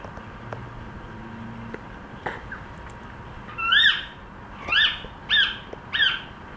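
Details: Cockatiel trying to sing: after a quiet start with faint knocks, four clear whistled notes, each rising then falling with bright overtones, come in a short burst about one second apart near the end.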